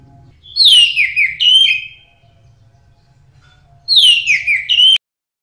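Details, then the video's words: Orange-headed thrush (Geokichla citrina) in full song, used as a master/lure recording for training songbirds: two rich, fluty phrases of falling and rising whistles, each over a second long, separated by a short pause, over a faint low hum. "Anis Merah Gacor"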